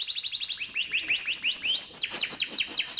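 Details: Atlantic canary trill used to train young canaries: quick, evenly spaced high notes rising in steps, then broader, louder downward-sweeping chirps repeated several times a second.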